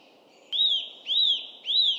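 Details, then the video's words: Eurasian nuthatch in UK woodland in early spring: instead of a song, it gives three loud, ringing, slightly arched whistled call notes about half a second apart that echo through the trees, over a soft hiss. "Instead of a song, it gives a loud ringing call that echoes through the woodland."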